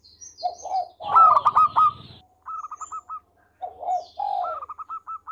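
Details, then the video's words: A melodious local zebra dove, a frequent singer recorded as a master song for tutoring other birds. Low purring trills alternate with clipped, evenly spaced high coo notes, one loud burst followed by quieter phrases. "Perkutut Lokal Gacor Suara Merdu Buat Masteran"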